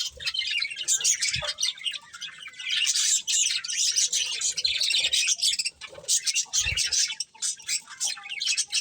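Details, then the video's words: Constant twittering from several colourful budgies, made of high scratchy chirps and squeaks in overlapping bursts, with a couple of soft thuds in the background. "Colourful Budgies Chirping Sounds"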